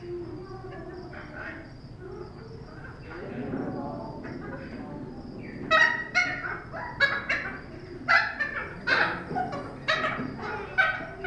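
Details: Thick-billed parrot at Cincinnati Zoo on 10 February 2017, giving loud, harsh, rasping squawks in an irregular series in the second half, after a stretch of low murmuring voices and a steady high hum.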